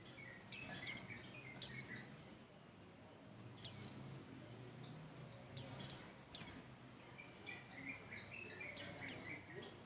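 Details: Bustomi white-eye lure song, played to make other birds sing: piercing high whistled downslurs in pairs and singles every one to two seconds, with faint twittering between them.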